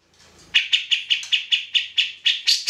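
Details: Grey-cheeked bulbul singing vigorously, recorded to train other songbirds: about ten sharp chattering notes at an even pace, each a bright, slightly harsh chip, rising in pitch toward the end.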